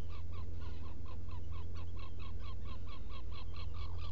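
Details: Black guillemot calling inside a nest burrow, Seal Island NWR, Maine, early morning of 18 June 2018; brisk, regular short peeping notes about two per second, with a persistent low rumble behind.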